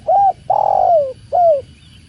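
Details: Tekukur, the spotted dove, calling a three-part coo: short mellow note, long drawn-out coo dropping in pitch at the end, and a final short coo over low background noise.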